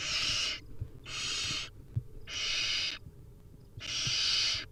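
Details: Wild barn owl chicks at feeding time produce four loud, buzzy hissing snores, each under a second, evenly spaced, with soft taps from the nest box.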